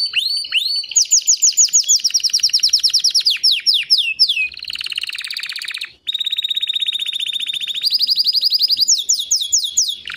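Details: Long song from a white canary: sweeping slurred notes become rapid rolling trills, a brief pause, then a smooth fast tour of even pulses and quick falling chirps at the end.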